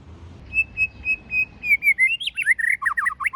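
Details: White-rumped shama singing in forest voice, meant to stimulate captured birds: four level whistled notes, then rising slurred whistles breaking into rapid staccato chips.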